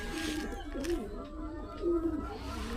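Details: Pigeon cooing softly indoors: low, throaty, wavering notes that swell twice, near the one- and two-second marks, set against a steady low hum and faint room noise.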